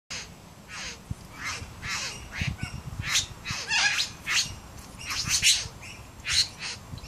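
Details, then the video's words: A male satin bowerbird displaying to a female with dancing and mimicry gives harsh, buzzy, crackling bursts about twice a second, a rapid stream of grating churrs and rasps, over a low background rumble. "Satin Bowerbird"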